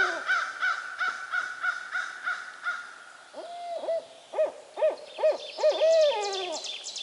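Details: Barred owl in Sax Zim Bog, still hooting and fending off crows: a run of hollow, mid-pitched hoots rising into wilder, wavering calls, after a fast, harsh series of calls from other birds.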